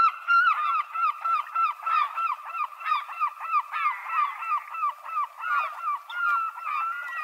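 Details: Gull giving a rapid, steady series of short, downslurred, nasal yelping notes, about three per second, with other gulls calling faintly behind.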